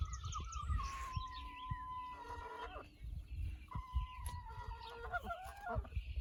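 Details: Backyard rooster making odd whistling alert-type noises for no clear reason: long, steady, slightly falling whistled tones, two drawn-out notes with a break between, over low rumbling background and a person's voice.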